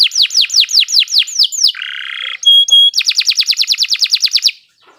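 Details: Canary of the Kenari 86 type, recorded as a morning tutor song for young songbirds: a run of slurred falling whistles, a short buzzy tone, two pure high notes, then a quick rolling trill that fades out.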